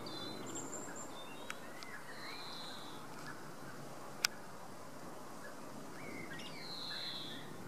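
European greenfinch giving faint, drawn-out wheezy notes, one held steady and one sliding downward, with a few thin high chirps over steady background hiss.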